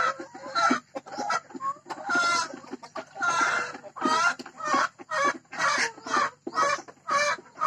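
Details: Hybrid laying hen about to lay an egg calls loudly. Harsh, ringing squawks come about once a second, each roughly half a second long, with short quiet gaps between them.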